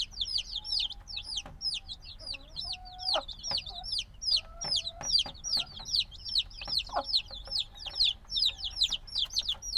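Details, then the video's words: Black domestic chicks hatched a few days ago, still needing warmth from the mother, recorded binaurally: a busy chorus of high, down-arching peeps, about two to three per second, overlapping, with occasional lower clicks and knocks. "Baby Chicken Sounds - Baby Chicken Chirping Noises"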